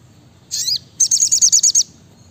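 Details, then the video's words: Brown-throated sunbird: a quick slurred high phrase, then a tight run of seven sharp, evenly spaced high notes. "Masteran SRIGANTI (SOGOKONTONG) Gacor Nembak Rapat"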